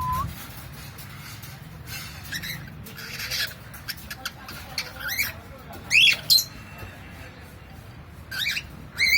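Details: Pet cockatiel indoors giving sharp, harmonic squawks that sweep up and down, the loudest near the middle and end, with softer chirps and brief rustles between them over a low steady background hum.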